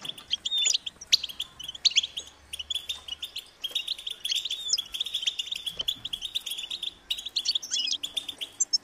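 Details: European goldfinch chicks keep up high, insistent chirping to be fed, short sharp notes in quick irregular series with occasional louder, higher twitters standing out.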